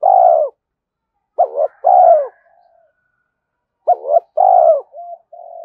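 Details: Decoy recording of a spotted dove cooing to attract wild doves: a drawn hoot, then two phrases of a short double hoot followed by a long falling coo, separated by silence.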